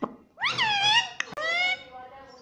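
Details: Pet parrot that says papa and mummy, talking indoors: a short sound, then a long, loud, harmonic, voice-like phrase that rises and then flattens, broken by a click midway and fading out.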